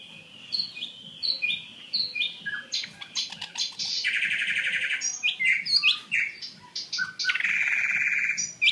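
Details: Chinese hwamei kept as a fighting bird, singing a fast, varied run of bright whistled notes interleaved with harsh, noisy rasping bursts and abrupt slurs, busy and unbroken throughout.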